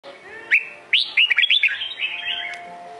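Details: Red-whiskered bulbul of the Sông Kôn type singing: a short slurred note, then a rapid burst of bright, bubbling whistled notes rising and falling, trailing into a softer warble over a faint steady hum.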